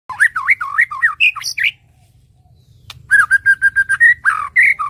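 A white-rumped shama sings rich, varied whistled phrases, swooping up and down, then a fast run of even repeated notes after a brief pause.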